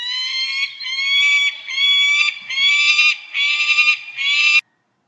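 A peregrine falcon gives five harsh, nasal, ringing notes, each about half a second long, repeated roughly once a second with no other sounds.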